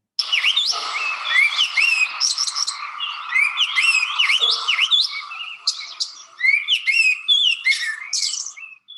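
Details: A Great Thrush sings in the botanical garden in Bogotá, Colombia: a busy run of bright chirps, quick rising and falling whistled slurs and clipped notes, packed closely together with hardly a pause.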